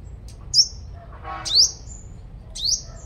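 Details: Lure-bird five-coloured sunbird from Long Thành, Đồng Nai, Vietnam, noted as a strong singer, gives three thin, piercing high notes about a second apart, each a bright upswept flick trailing into a short tail, with a brief rustling burst between.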